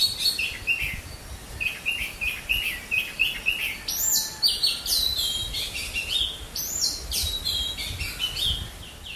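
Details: Indian Robin singing near a balcony in Ranchi, Jharkhand: a lively, melodious stream of varied high chirps, slurred whistles and quick trills, phrases tumbling one after another with barely a pause.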